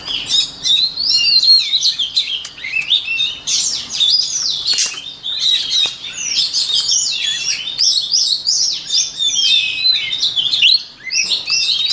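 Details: White-rumped shama singing, offered as a model for training the voice of other shamas: a rich, continuous run of varied high whistles, trills and slurred notes, with phrases tumbling into one another and brief pauses near the middle and end.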